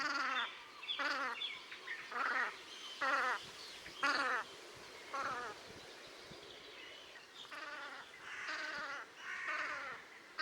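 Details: Several Velvet scoters calling at Liepāja, Latvia, in March 2024: a rapid series of short nasal, trembling calls at about one per second, some overlapping, with fainter high bird notes behind.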